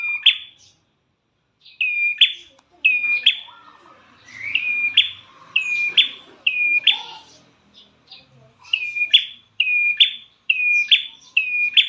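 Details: Lure recording of a prinia for prompting caged birds to sing: a long series of flat whistled notes, each snapping upward at the end, delivered in fast runs with brief pauses and soft lower chirps mixed in.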